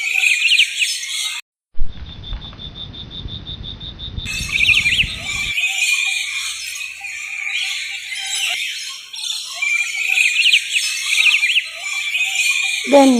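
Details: A flock of lorikeets at a bird park in Hyderabad, Telangana, visited in the afternoon, keeps up a continuous, shrill, scratchy chatter of overlapping screeches and squeaks, interrupted early by low rumbling noise and a steady tone.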